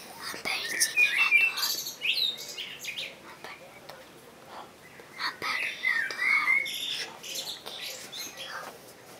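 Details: Common blackbird delivering two warbled phrases several seconds apart, each a mellow fluty run, with fainter chirps and soft rustle between them.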